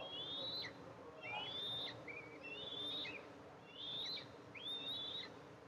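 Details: Eastern imperial eagles at a nest filmed by a nest camera on July 14, 2024, as the mother arrives to feed her two eaglets; thin, high whistled calls, each sliding slightly upward, repeated roughly once a second over steady background hiss.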